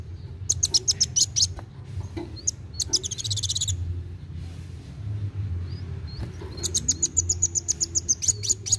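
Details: Active, rapid-singing sunbird, intended to get young birds singing: quick trains of high ticking chips, a dense buzzy trill, short pauses with faint whistles, then a long fast chattering run; low hum in background.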